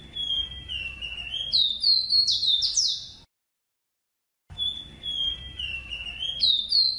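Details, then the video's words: Song of a ruddy-breasted seedeater (Sporophila minuta): a fast, high, sweet warbling of slurred whistles and rising notes, broken by a short silence. "CANTO DE AVE ROSITA"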